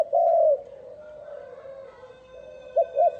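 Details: Spotted dove calling to lure wild doves: one long loud purring coo, a pause with faint humming tones, then two quick short coos at the end.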